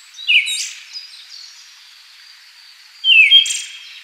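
Siberian thrush giving two short, high phrases about three seconds apart, each a sharp descending note with a brief buzzy flourish, over faint background hiss.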